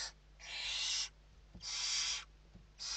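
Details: Western barn owls in their nest in Spain at evening feeding, 29 November 2023: long, loud breathy screeches of about half a second, repeated roughly once a second, with soft knocks between.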